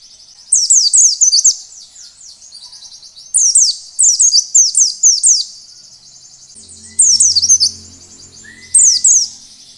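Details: Wild-style 'ngalas' song of an Oriental white-eye, used to provoke other white-eyes into singing: bursts of high, rapid, falling chirps every two to three seconds, with a faint low hum and a brief thin whistle near the end.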